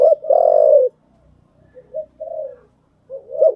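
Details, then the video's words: Spotted dove cooing used for training newly caught birds: one long, loud, low coo, then two softer short notes, with another coo beginning at the very end. "tiếng chim gáy dùng tập chim bổi mới hiệu quả"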